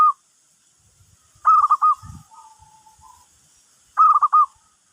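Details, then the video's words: Zebra dove calling as a lure for other birds: two clear phrases of four fast, bubbling coos about two and a half seconds apart, with a soft low thud between them and a faint trailing whistle. "Perkutut Pikat, burung lain pada nyamperin"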